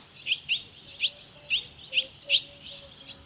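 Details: Barn swallow chicks at fledging, five leaving the nest in two and a half minutes: bright high chirps in quick succession, roughly two per second, over a quiet background with faint low tones.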